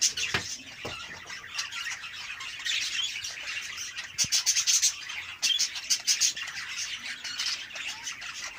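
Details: Budgerigars chatter in a fast, scratchy stream of high chirps and squawks while mating.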